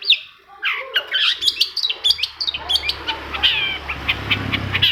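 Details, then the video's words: Long-tailed shrike song meant to trigger song in other shrikes: rapid tumbling twitters and sharp high notes, starting with a slurred whistle, over a steady low hum in the background. "CENDET MACET SUSAH BUNYI PASTI NYAUT KETIKA MENDENGAR TOETAN BURUNG CENDET INI"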